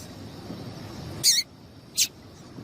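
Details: Two brief, high, bright call notes from a female double-collared seedeater, about three-quarters of a second apart, over low background hiss; the call is meant to prompt males to sing.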